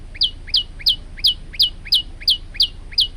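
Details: Singing male olive-backed tailorbird, recorded as a training model for other birds: nine piercing, downward-slurred notes repeated evenly about three times a second. Steady low hum underneath.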